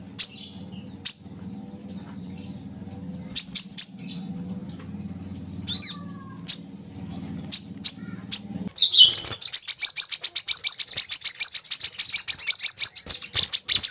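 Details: Sunbird known as kolibri kelapa, used to coax caged birds into song: scattered high clicks over low background hum, then a sudden fast, buzzy high trill of rapidly repeated notes.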